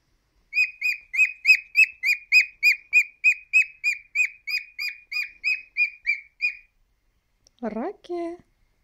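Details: Pet cockatiel, a male aged three, repeats a bright chirped whistle roughly three times a second for about six seconds, then pauses and ends with a brief, wavering, speech-like phrase.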